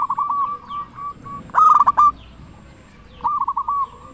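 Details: Zebra dove of local stock, a constant singer used to lure others: soft repeated coos lead into a loud rolling trilled phrase, a pause, then another cooing phrase.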